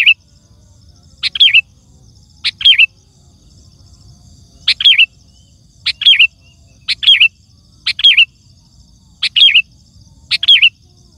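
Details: Sooty-headed bulbul giving loud, lively song used to call wild birds in forest or garden and tutor caged bulbuls: about nine short chirpy bubbling phrases over eleven seconds, irregularly spaced, with a faint steady high tone behind.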